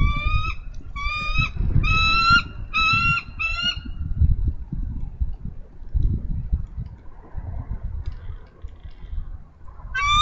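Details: Female bald eagle on a nest-cam nest in Minnesota, 3 May 2013, calling for nearly an hour for her mate to relieve her; five shrill piping bursts in the first four seconds, then only wind.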